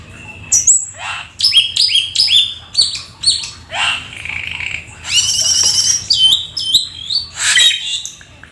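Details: Black-winged starling in energetic full isian song: quick repeated whistles dropping in pitch, a few sweeping downward slurs, then a dense metallic trill and chattering phrases.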